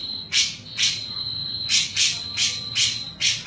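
A grey-cheeked bulbul gives harsh, rasping bursts about twice a second over a steady high-pitched whine.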